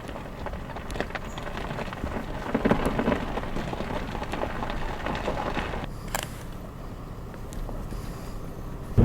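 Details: Patter-like crackling and scattered clicks over a low rumble at Sax Zim Bog in October, ending in a sharp knock; no animal calls.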